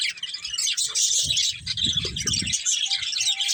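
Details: High, busy budgerigar chatter from a breeding pair, continuous twittering and squeaky notes over soft low knocking and tapping in the middle.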